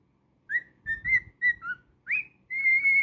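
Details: Pet cockatiel singing indoors: a run of short clear whistles, some rising, some level, one dropping lower, ending in a long steady whistle.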